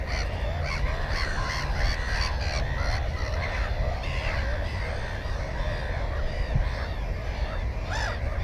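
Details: Continuous chorus of short, harsh arched cries at a Black-headed gull nest with one egg and one chick, recorded on GoPro 4 on 15 May 2016, under steady low wind noise.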